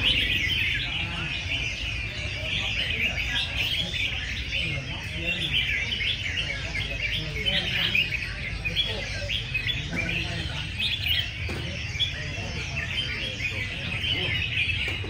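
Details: A group of caged red-whiskered bulbuls in a singing contest before a large crowd of enthusiasts. A constant tangle of high chirpy, whistled phrases overlaps for the whole stretch. Steady low crowd rumble and talk sit underneath.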